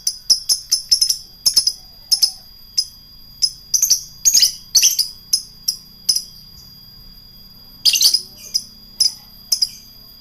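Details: Lovebird giving its long ngekek song, kept as a hobby bird and meant to provoke rivals into answering; rapid bursts of high, harsh chattering trills repeated through the clip, with a steady faint high tone in the background.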